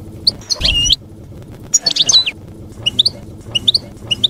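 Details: Campero-style song of a European goldfinch for young birds to copy: liquid twittering phrases with sweeping whistled notes, followed by quick paired chirps repeated about every half second, low hum beneath.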